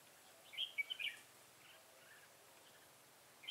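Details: Red-whiskered bulbul singing as a decoy in a fight to lure wild bulbuls, 25 September 2018; one brief loud warbled phrase early, then near silence with faint noise.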